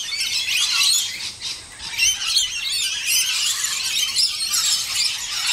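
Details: At least eight scaly-breasted lorikeets bathing at a birdbath in SE Queensland during a dry spell give a steady stream of shrill, high screeches and chattering squeals that overlap almost without pause.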